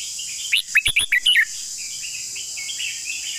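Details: One melodious phrase from a red-whiskered bulbul singing its long song: about six lilting, upslurred whistles in quick order. Soft distant bird notes and a continuous high insect buzz follow.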